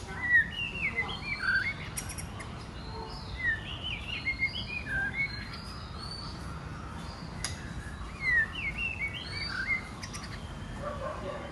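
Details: White-rumped shama female inciting males to sing and fight: busy bursts of varied chirps and twittering whistles in quick phrases with pauses, a few sharp clicks, over constant outdoor noise.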